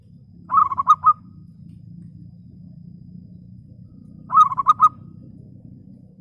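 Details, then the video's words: Lure-bird local zebra dove used to call rival doves gives two short rolling coo phrases, each of about five quick notes, spaced nearly four seconds apart, over a continuous low mechanical-sounding hum. "PERKUTUT LOKAL Suara jernih Biang pancingan Ampuh memanggil lawan Emosi nyahut"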